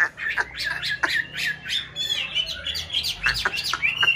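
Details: Aviary-kept white Chinese hwamei, one of a pair in a mountain-town conservation aviary, during nest-building season: dense, varied song of sharp chips, rapid trills and slurred whistled phrases packed closely together.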